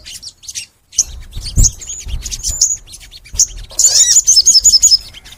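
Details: Crimson sunbird recorded as a master to stimulate other sunbirds to sing: a few high chips and a short whistled note, then a quick run of sharp, very high twittering notes.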